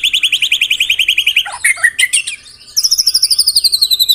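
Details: White-rumped shama (murai batu) in the 'tembakan rapat' song: an even, rapid series of repeated mid-high notes, a jumbled burst of lower twisting phrases, a short pause, then a faster, higher-pitched repeated run.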